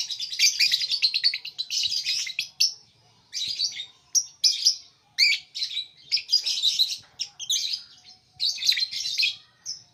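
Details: Lovebird chattering almost continuously. Piercing, squeaky chirps and twittering bursts come in quick succession with short silent gaps.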